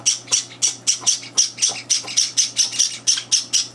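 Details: Java sparrow chicks, three days in a new home, begging at breakfast as two older birds barge in; rapid harsh high-pitched squawks repeated about four times a second, each a buzzy burst, in a small indoor room.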